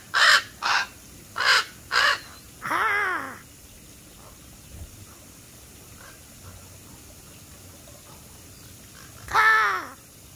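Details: Black crows cawing: a quick run of four rasping caws, then a longer, hoarse, arching caw, a long lull with low background noise, and one final loud caw near the end.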